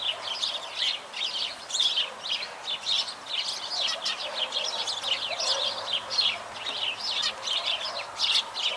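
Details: Sparrows chirping: a busy, overlapping chorus of short, bright chirps and twitters, repeated constantly with no pauses, over a faint low background hum.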